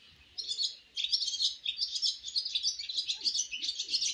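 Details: Baby swallows on their first flight from the nest: rapid, overlapping high chirps and twitters that start after a short quiet moment and run on without a break, with a faint low hum underneath.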